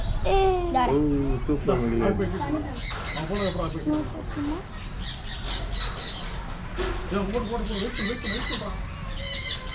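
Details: Parrots, mostly South American species including macaws, in a walk-through aviary at a birds park in Trichy, Tamil Nadu, India, where visitors hand-feed them seeds: harsh, repeated squawks and rising-falling screeches, with people talking throughout.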